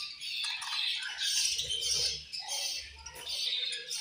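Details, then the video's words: Pet budgerigars chirping while eating, described as angry; dense, high-pitched chirps and chatter overlap almost continuously, several birds calling together in rapid, irregular bursts. "Budgies Eating And Angry Chirping Sounds"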